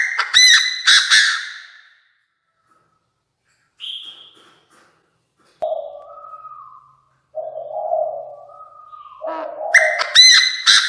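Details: Chinese francolin used as a decoy bird, calling to draw in the flock. Loud, harsh, buzzy bursts sound at the start and again near the end. Between them come quieter, lower, drawn-out tonal notes and several silent gaps.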